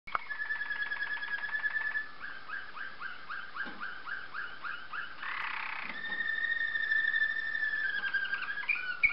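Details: Waterslager canary song: fast rolling trills, then a run of bubbling, water-like notes, a brief harsh burst, and a long, sustained, level tour that breaks into sliding notes.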